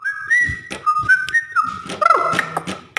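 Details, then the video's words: Straw-headed bulbul, called cucak rowo, used as a training song for cage birds: loud, liquid whistled phrases that slide between low and higher pitches, in bursts with short gaps. "Masteran Burung Cucak Rowo Ropel Terbaru 2020"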